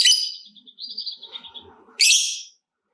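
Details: Lovebird used to stimulate other lovebirds: a harsh shriek fading into a thin wavering whistle, faint low murmuring, then a second loud grating screech.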